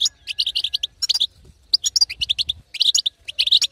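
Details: European goldfinch female in betbeta chatter, used to stimulate a quiet male to sing; quick tinkling twitters in tight clusters, with a short gap midway before the rapid notes resume.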